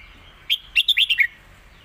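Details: Master song from a caged contest red-whiskered bulbul, used to teach young birds: one rapid phrase of about six loud, clear notes, the last one sliding downward, over a quiet room.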